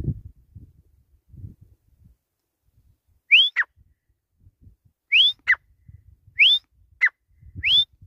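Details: Grey francolin, known locally as desi or gora teetar, calling with loud clear whistled notes that sweep upward, each followed by a short falling note. Four such phrases are spaced about a second apart, with a low rumble underneath.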